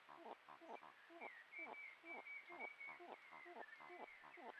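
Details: A pair of Malleefowl calling to each other in the 2024-25 breeding season, when the first egg was laid on 7 September: a rapid run of low, hoarse clucking notes, about two per second, over a thin, steady high whistle.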